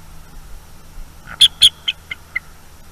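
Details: Night-time eagle at its nest, roused to defend against an owl intruder, 23 October 2021, nest cam: two loud high yelps followed by three shorter notes that step down in pitch, quiet hum in the background.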